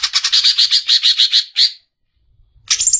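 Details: Greater green leafbird song: a fast run of repeated bright chirping notes for about one and a half seconds, a pause, then a short high burst at the end.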